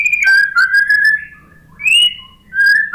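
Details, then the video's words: White-rumped shama song used as a lure to coax a post-moult, stressed shama into singing: three long, pure, slightly slurred whistles with brief gaps. "MURAI BATU malas BUNYI, STRES PASCA MABUNG jadi ikut NYAUT ¦ PANCINGAN MURAI"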